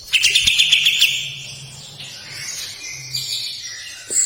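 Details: Sooty-headed bulbul, a kept songbird singing its long, harsh 'besetan kasar' style of song: a fast burst of bright, high, repeated chirps in the first second, then softer, thinner warbling phrases, ending in a short sharp note.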